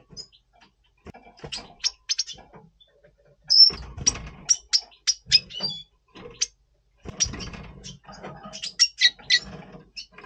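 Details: Twittering song of a Double Pastell red siskin in breeding mood before breeding, November 2023: a long run of short, sharp, high chips and trills with brief pauses, over soft rustling.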